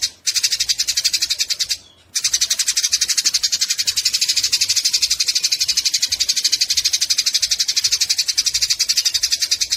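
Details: Eurasian tree sparrows fighting, recorded as a tutor track for songbirds: dense, harsh, rapid chattering notes pour out without pause, breaking off briefly near two seconds, then resuming just as intensely to the end.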